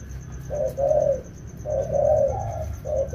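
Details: During the rainy season, two wild-caught spotted doves in training give two clear groups of soft, low coos with a silent pause between them. A faint steady high tone and a low rumble sit underneath.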